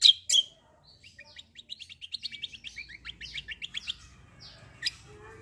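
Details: Black-winged myna in lively 'ngeroll' song: two loud, sharp opening notes, then a fast rolling series of thin, high ticking chirps that speeds up and fades, and one final bright squeak.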